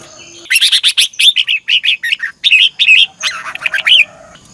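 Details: Red-whiskered bulbul singing in a morning training recording, a caged bird used as a lure voice; a fast run of loud, warbling notes around the upper-middle range, many short bursts packed closely for about four seconds.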